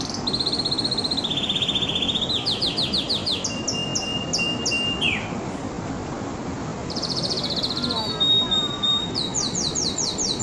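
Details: Singing canary delivering rapid rolled trills that shift pitch tour by tour, a long sustained whistle that drops away, a soft lower warble, then resumed high repeated-note trills, over a steady hiss.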